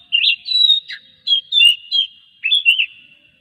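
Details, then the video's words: Oriental magpie-robin song played to draw other magpie-robins into singing daily: clear whistled notes in short separate phrases, some slurred up and down, with brief pauses between, on a quiet clean background. "masteran suara kacer buat mancing kacer lain supaya gacor setiap hari"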